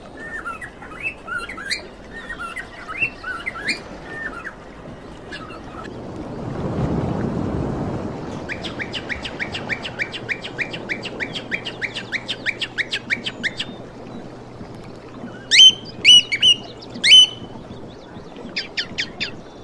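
Cockatiels sing in bright, rising whistles mixed with quick repeated chirps and a few sharp squawks.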